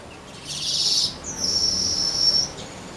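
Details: Untrained weaver bird starting to sing actively and smoothly: two high, buzzy, rattling bursts, the first about half a second long and the second a drawn-out sizzling trill lasting over a second, with little else around.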